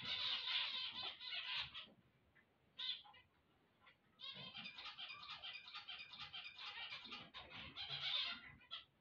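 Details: Zebra finches sing their waking chorus. Loud nasal buzzy phrases with stacked tones give way to a near-silent gap with one brief note, then resume as a long, fast, chattering run.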